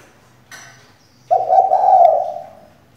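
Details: A captive female spotted dove used as a decoy to prompt males to sing gives one long, drawn-out, low hollow coo that swells and fades, after a faint click, over a steady low hum.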